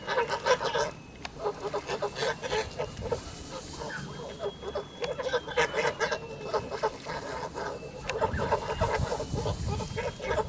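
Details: A 2-month-26-day-old male Kholmogory goose, pure white, on a farm in August 2017, honking continuously in fast choppy bursts of nasal calls, loud and overlapping, with a faint high tone behind.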